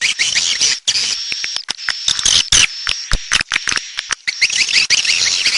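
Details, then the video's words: Swiftlets twittering in high, buzzy chirps among sharp clicks, with a continuous thin high whine behind them. "SUARA BURUNG WALET"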